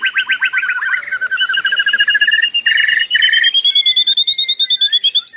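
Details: Nonstop singing by a white-rumped shama: quick rattling trills shifting into rich whistled phrases and a long high ringing note, ending with sharp repeated chips.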